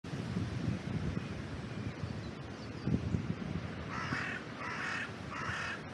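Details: A crow gives three harsh, hoarse caws in quick succession, about one every two-thirds of a second, after several seconds of steady low wind rumble, recorded by a trail cam at an oak tree in a cemetery.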